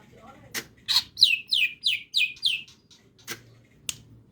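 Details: Singing greater green leafbird, crest raised, delivering a short series of about seven clear descending whistled notes, each sliding downward, spaced roughly three per second, framed by sharp clicks before and after.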